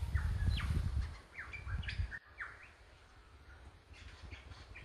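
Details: A male Superb Lyrebird in Cathedral Range State Park, Victoria, Australia, gives quick, varied whistled slurs, some sweeping up and others dropping, in courtship song to a passing female, over a low rumble of wind.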